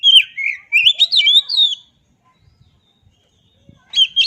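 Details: Melodious whistled phrases from an oriental magpie-robin, slurring up and down for nearly two seconds. After a short silence with faint clicks, the song resumes.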